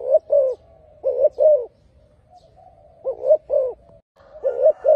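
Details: Spotted dove delivering loud low coos in pairs, a clipped note then a rounded longer one, separated by a quiet gap of over a second before the phrase resumes.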